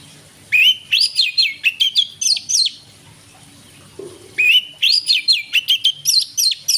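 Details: Oriental magpie-robin (kacer) singing in the evening to stimulate other birds: two bursts of loud whistled phrases, rising and falling notes with sharp chips between, separated by a pause of about a second and a half.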